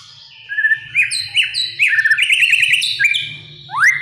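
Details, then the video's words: Oriental magpie-robin song used as a training recording for young birds to learn loud, continuous singing: clear whistled notes and rising and falling slurs between about 2 and 4k, with fast trilled runs, and a low steady hum underneath. "PANCINGAN & MASTERAN,,MURAI BATU BAHAN AGAR JADI BUNYI GACOR PLONG"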